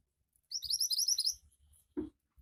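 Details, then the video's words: Javan white-eye in full song, delivering a fast, high-pitched twittering run of about a second, followed by a soft low knock. "Burung Mantenan Gacor"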